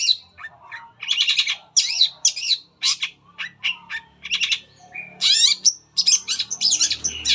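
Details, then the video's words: Long-tailed shrike song used as a lure to prompt other shrikes to sing: a fast, varied, scratchy chatter mixing rapid stuttered notes, harsh bursts and brief high whistles with barely any pauses. "PANCINGAN CENDET APAPUN CEPAT BUNYI"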